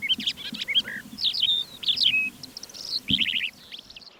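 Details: Calandra Lark recorded in flight, early morning on 21 April 2024 near Divnoye village, northern Stavropol steppe (Manych), before wind rose at 8am: a fast, unbroken stream of high, varied chirps, scratchy notes and quick trills over faint low rumbling.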